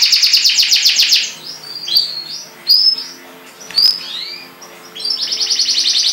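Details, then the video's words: A caged pet canary sings a fast, bright rolling trill, then breaks into varied sweet whistles and slurred notes before resuming the rapid trill. "CANARY Bird Singing"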